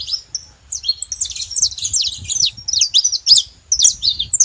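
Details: Wild saffron finches in their natural surroundings give a rapid, tangled chatter of high, scratchy chirps and quick slides, nearly unbroken over four seconds, with soft low background noise.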